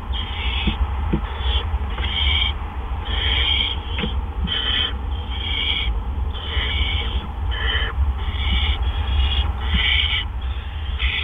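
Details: Barn owls at a nest at 8:00 PM on April 17, 2013, as two adults deliver gophers one right after the other; repeated harsh hissing screeches about every half second to second, over a steady low hum.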